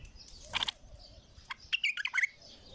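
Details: An untrained bulbul gives a brief burst of chirps, then a quick run of five or six liquid, warbling notes at a fairly high pitch, with a quiet background.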